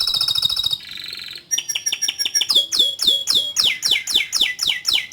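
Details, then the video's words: Singing canary giving a buzzy rolling trill, then crisp chirps and a long run of bright downward-swept whistled notes repeated roughly four times a second, loud and clear. "Suara Burung Kenari Gacor Panjang Cuit Cuit Teerrrr"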